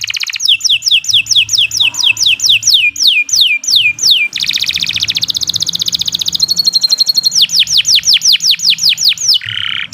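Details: Canary song used as a master recording for training other canaries to sing long and nonstop: loud, fast series of sharp downward-slurred whistles, a dense buzzy rattling trill in the middle, a steady high note, then more rapid slurred whistles.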